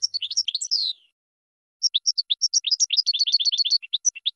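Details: Goldfinch song for training birds: tumbling chirps and a descending buzzy slur, a pause, then spaced bright notes that quicken into a short rapid trill before scattered chirps return.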